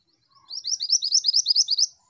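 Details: Female pied bushchat song, a long, energetic series of clear, high chirped syllables repeated steadily for about one and a half seconds, with a brief faint lower whistle at the start.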